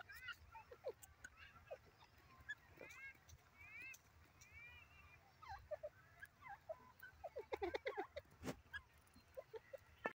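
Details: Francolins (black francolin) being trained to call give harsh, arching calls over and over at about one to three calls a second, several voices overlapping, with some clattering sounds nearby.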